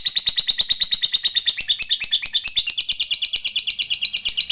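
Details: Fighter lovebird in long ngekek song, used as a lure to provoke other lovebirds: a continuous high, shrill chattering of rapid rhythmic notes, about three per second, unbroken throughout, indoors.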